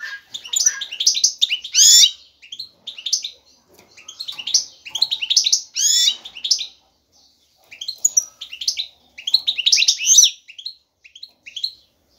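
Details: A breeding-ready male European goldfinch sings strongly to attract a female for mating. Rapid twittering phrases and harsh buzzy notes come in bursts every couple of seconds, separated by short silences.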